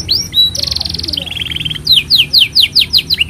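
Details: Master song of a canary, intended to teach young birds and stir silent canaries into song: a short slurred note, then a bright, steady, high buzzing trill that drops to a lower trill, followed by a quick series of sharp descending chirps.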